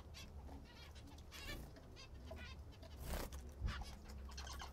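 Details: Pet zebra finches eating the food they like most, giving short nasal harmonic calls scattered through the clip over a steady low rumble, with a louder rustling burst near the end.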